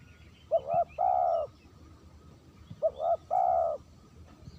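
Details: Spotted dove giving a clean lure call: two phrases, each a short broken double coo that rises then a long, steady, mellow cooing note, about 2.5 seconds apart over a quiet rural background.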